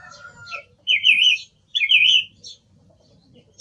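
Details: Song thrush repeating one phrase twice, a trilled, wavering whistle at middle pitch given about a second apart, preceded by a softer steady whistled note.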